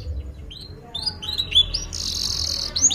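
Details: Canary lure song for training young canaries: scattered short upslurred chirps followed by a sustained high buzzy trill and a final whistled note.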